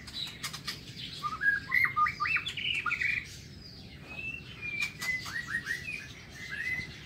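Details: White-rumped shama in an aviary, morning: a quick series of descending whistled notes, a pause, then long whistles and a run of repeated slurred notes.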